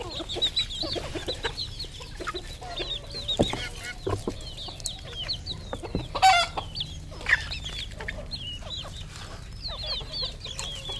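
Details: Red junglefowl kept as a domestic decoy bird, calling with short repeated clucks and low notes among a busy chorus of thin, high chirping calls, with scattered louder knocks and a steady low hum underneath.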